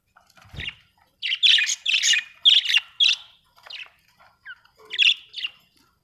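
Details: Australian budgerigar chattering in lively bursts of buzzy chirps, several notes tumbling close together, then a pause and a few more chirps, with a faint low rustle near the start.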